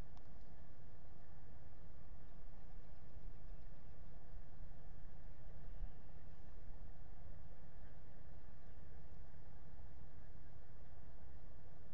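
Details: Steady wind rumble and broadband noise from a camera housing, with no animal voice heard.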